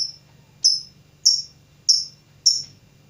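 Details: Lovebird learning to sing: four shrill, high chirps, each with a sharp start and a fading tail, repeated about every 0.6 seconds over a faint low hum.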